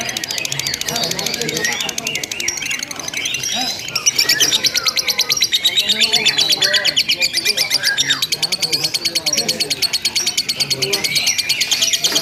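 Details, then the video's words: Long-duration lovebird ngekek recorded as a singing-contest simulation: after a few seconds of scattered squeaks the chatter swells into a loud, relentless rapid-fire trill of high pulses, with murmuring voices below. "SUMULASI LOMBA LOVE BIRD TERBARU 2025 NGEKEK TANPA JEDA DURASI PANJANG"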